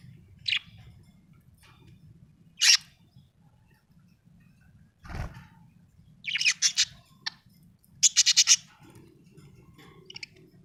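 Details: Happy budgerigar chirping in short, separated bursts: single sharp chirps early, a soft thump mid-way, then denser scratchy chattering phrases toward the end, with a quiet low background hum.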